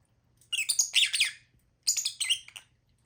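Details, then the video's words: Two loud bursts of piercing lovebird chatter, each about three-quarters of a second long, made of rapid harsh squawks and squeaks, separated by a brief silence. "Lovebirds sound"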